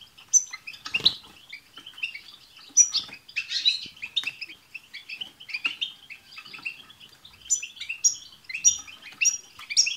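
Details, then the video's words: Several European goldfinches singing together, played to prompt a pet goldfinch to sing: dense, fast, high tinkling twitters and buzzy chirps overlapping without pause, with occasional sharp clicks and rustles. "بتبتة حسون جماعية رهيييبة"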